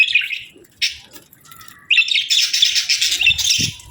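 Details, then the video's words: Breeding-season budgerigar pair: a few raspy chirps, a short lull, then a sustained burst of loud, scratchy warbling chatter. "Budgie Pair Chirping Sounds 🐦💕 | Budgie Breeding Season"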